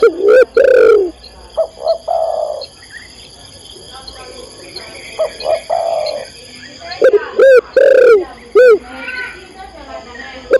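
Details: Female spotted dove calling a male: bursts of loud, curved, distorted coos at start and near the end, separated by softer hollow cooing phrases and quiet gaps, over a persistent thin high hum.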